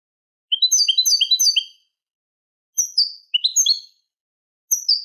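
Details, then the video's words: Eurasian goldfinch tutor song in the Manolo style for young goldfinches and hybrids: a quick sequence of bright, slurred rising-and-falling notes, then two shorter twittering phrases after pauses. "شريط كوبية ملقا (Manolo) original لتلقين فراخ الحسون والهجين"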